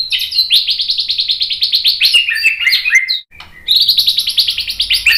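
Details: White-rumped shama song to provoke other birds into singing: long, dense runs of rapid repeated chattering notes, loud and high, broken by a short pause before another fast rattling phrase.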